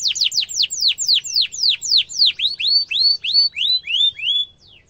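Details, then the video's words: Canary song with sharp rolling, used to train young canaries: a string of steeply falling sweeps giving way to gentler rising whistles, ending in near silence. "Kenari gacor ngerol tajam suara kesukaan kenari muda gampang ditiru efektif untuk masteran kenari"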